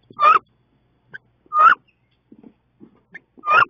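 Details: Wood duck, two females fighting inside a nest box on 16 May: three loud, squealing calls that rise then dip, about 1.3 seconds apart, with faint soft scuffling between them.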